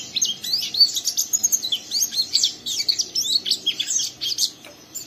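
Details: Young oriental white-eye in full song, rough twittering 'ngeriwik' style, prompting a second untrained white-eye to join in; dense run of high thin chirps and slurred notes, pulsing several times per second throughout.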